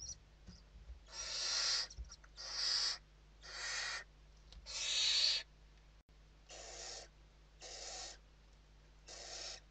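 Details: Evening feeding at a Western barn owl nest in Spain, 29 November 2023: a series of eight rasping hiss bursts, louder early ones then quieter shorter ones, evenly spaced over the recording, with a constant low hum.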